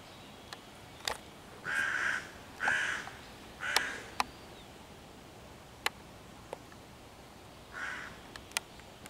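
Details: Persistent hooded crow mobbing five young raccoons in a tree beside their hollow, 11 June 2023, cawing loudly to drive them off and call other crows; three rough caws roughly a second apart, a pause with clicks, then a fourth caw.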